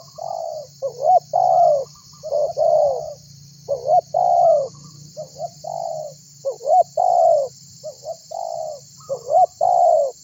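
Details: Spotted dove calling other birds to join in. Dense runs of low coo phrases follow one another about every two to three seconds, mixing quick upturned notes with longer descending coos, under an even background hiss.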